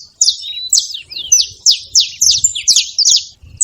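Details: A group of saffron finches chattering: a steady run of bright, high, sharply descending chirp notes, some doubled, against an almost clean, quiet background.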